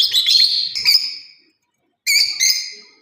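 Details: Lovebird parrot producing drawn-out, shrill, slightly buzzy chirps in two bursts separated by a short silence.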